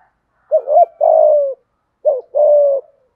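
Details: Spotted dove, thúc gù cooing with an earthy tone: two phrases, each a quick wobbling coo followed by a long, steady low hoot, separated by a short pause.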